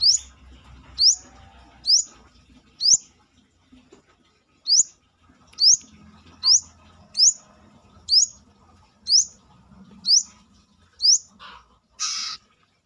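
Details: Brown-throated sunbird in lively song outside the cage, a bird prized for training other songbirds: a steady series of about twelve piercing, upslurred whistles roughly one per second, ending with a brief buzzy note.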